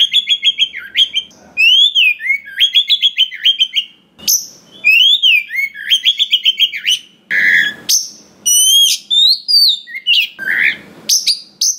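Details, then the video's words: Wild-caught Oriental magpie-robin singing a song loaded with fill phrases, played to excite other magpie-robins into singing. Repeated arched whistles and quick stepped notes in bursts, with sharp high chips and a few harsh rasps. "SUARA BURUNG KACER ISIAN BANYAK !! PANCINGAN UNTUK BURUNG KACER BAHAN HUTAN || VOICE OF KACER"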